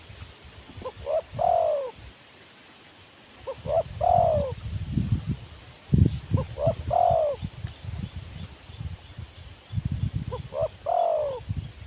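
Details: Wild spotted dove described as lacking confidence, cooing; four short phrases of soft hooting notes ending in a longer falling coo, spaced about three seconds apart, over low rumbling background noise.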